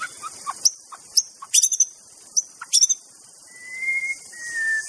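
White-rumped shama singing: sharp, high chips and ticks in quick bursts, then long, clear whistles held steady at a middle pitch.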